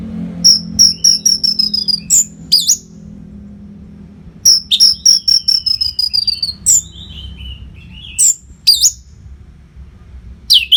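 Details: Orange-headed thrush, a kept bird, singing nonstop to train contest birds, recorded in northern Bali: clear repeated high whistles in runs, then sharp rising and falling notes, phrases returning every few seconds over a faint low hum.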